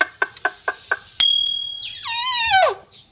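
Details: Pet parrot talking: five quick evenly spaced clicks, then a long steady high whistle, and finally a voiced, wavering word that slides downward.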